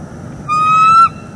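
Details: One long, steady whistled note with strong overtones from a wild bald eagle pair on a northeast Florida nest cam, autumn morning, October 2021, while the birds mate and vocalize; faint low rumble beneath.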